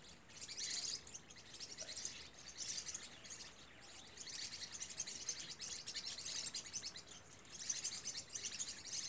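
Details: Several green-rumped parrotlets calling at Vale do Rio Real: a near-continuous stream of shrill, scratchy twittering chirps, swelling and fading in waves across the whole stretch, over a soft outdoor hiss.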